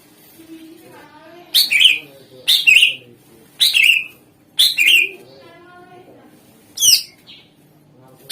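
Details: Greater green leafbird in full song as a lure for other birds: four loud chirping bursts about a second apart, a short pause, then one sharp higher note, with soft warbling underneath.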